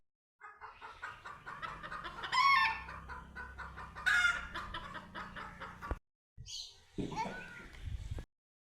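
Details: On first meeting a cat, a chicken keeps up busy clucking broken by two sharp, loud squawks, then falls briefly silent before a final burst of noisy calling.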